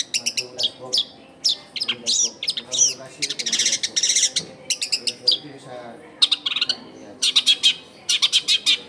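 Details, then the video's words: Long-tailed shrike lure song for catching wild shrikes, in a densely populated residential area: a loud, dense outpouring of rapid chattering, harsh buzzes and high whistled notes in quick bursts, with brief pauses between phrases. "SUARA CENDET GACOR AMPUH BUAT PANCINGAN CENDET BAKALAN"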